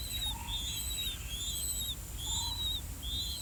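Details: Blue-winged pitta chicks, two well-grown nestlings, giving steady high slurred calls roughly every second as they wait to be fed earthworms, with a few softer lower notes and constant low rumble behind.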